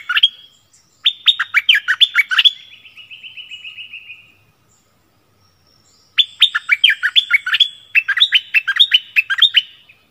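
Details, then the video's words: Decoy Streak-eared bulbul singing on 16 February 2021, claimed to drive wild birds away. Two long bursts of fast, bubbling up-and-down chirps separated by a silent gap, with a soft buzzy trill after the first burst. "เสียงนกดอกแตงEp.32ร้องแบบนี้ นกป่าหายหมด!!!"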